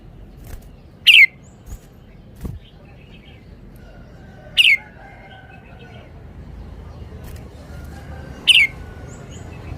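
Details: Caged red-whiskered bulbul displaying its song: three short, loud, bright descending notes repeated roughly every three and a half seconds against quiet background noise.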